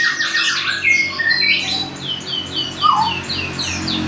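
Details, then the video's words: A young canary learning its song: scratchy trills, a few clear whistled notes and a dropping slur, then a row of repeated high descending notes, over a low background hum. "Si Merah belajar bunyi"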